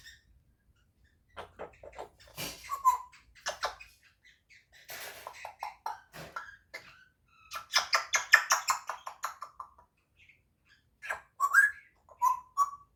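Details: Eight-month-old pet African grey parrot, a chatty youngster learning to talk and mimic sounds, gives clicks, short whistled notes and scratchy chatter in bursts, with a person speaking to it and faint music.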